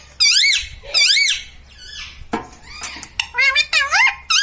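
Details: Pet ringneck parrot talking indoors: two loud arched syllables, a clattering dish-like sound, then several quick wavering word-like notes in a rapid sequence.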